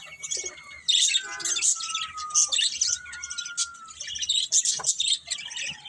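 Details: Budgies chirp and twitter in high scratchy bursts, with a thin steady whistled tone running underneath for a few seconds.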